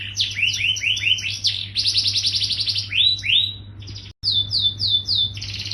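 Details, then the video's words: Yellow canary in gacor style, continuous full song, offered to stimulate other canaries to sing quickly: rapid series of high upward-sweeping whistled notes and fast buzzy trills, a brief cut, then more rising swoops over a low steady hum. "SUARA BURUNG KENARI GACOR KUNING"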